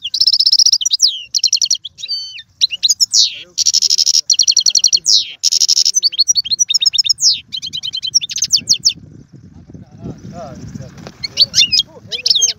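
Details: European goldfinch in long, fast song for prompting a caged goldfinch to sing: chattering runs and buzzy trills, fading toward the end where a low rumble rises beneath scattered high chirps.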